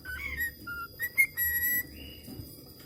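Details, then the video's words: Budgerigar learning to whistle: clear whistled notes, some steady and held, others short and sliding, mixed with brief chirps and a faint steady high tone in the background. "BURUNG PARKIT AUSTRALIA BELAJAR SIULAN"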